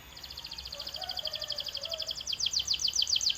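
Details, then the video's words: Canary training song: a fast rolling trill of rapid repeated notes high up, speeding into louder downward-sweeping syllables toward the end, with a faint low murmur in the background. "This Sound Will Make Your Canary the LOUDEST in the Neighborhood"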